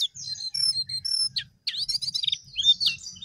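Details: Brief vigorous singing from a Sooty-headed bulbul: clear high whistled notes, a short pause, then a quick tumbling chatter of bright, slurred chirps over a low hum.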